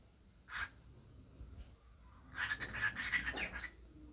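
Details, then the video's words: Cockatiel talking as it dances: a brief harsh note, a pause, then a quick run of scratchy, syllable-like chatter lasting over a second. "Talking Dancing cockatiel"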